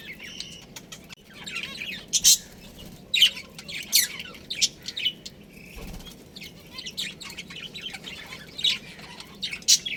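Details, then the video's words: Pet budgerigars in a colony with a breeding pair, chattering in a dense stream of short, high, scratchy chirps and squawks, with louder bursts roughly every second over a soft steady background hum. "Adorable Budgies Chirping Sounds"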